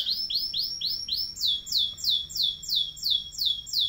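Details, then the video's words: Canary giving a long-duration ngeroll song for tutoring other birds: high whistled notes sweeping downward, repeated about three times a second, with the series shifting slightly higher partway through. "SUARA KENARI NGEROLL DURASI PANJANG"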